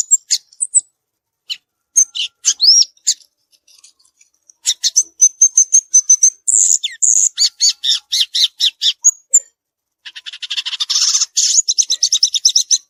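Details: Free-living violaceous euphonia song: scattered chips, then sustained high whistled notes and fast rhythmic chattering series, ending in a dense buzzy rattle.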